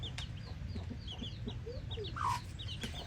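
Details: Chickens and a hen: many thin, high peeps chirp continuously, with one louder, lower squawk near the middle and a steady low hum underneath.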